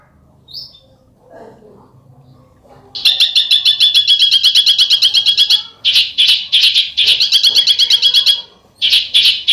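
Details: After a few quiet seconds, a bird bursts into besetan song: a fast, harsh, buzzing rattle of high pulses delivered in long runs with short gaps.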